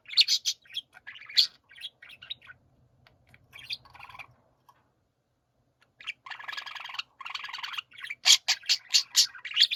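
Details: Budgerigars warbling together in bursts, chattering squeaks at first, a near-silent gap with a low hum, then a buzzy grating run and a series of evenly spaced loud squeaks.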